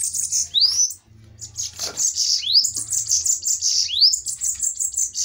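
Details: Spirited fighting duel of bananaquits. Near-constant, piercing, buzzy twittering with repeated upward-sweeping notes runs through, with a single soft thump partway through.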